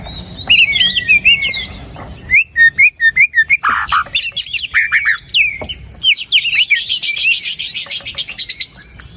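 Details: White-rumped shama singing in a lure recording for quiet birds: swooping whistles, a burst of rapid clipped notes, a harsh chatter, then a long fast buzzy rattle at high pitch.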